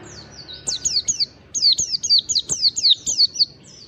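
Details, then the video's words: Mountain white-eye of the wild 'ngalas' type in fast, nonstop lure song: quick strings of sharp, high, descending slurred whistles delivered in close succession after a short opening phrase, with light ticking in the background. "pancingan pleci ngalas standar panjang PLECI MALAS BUNYI CEPAT GACOR"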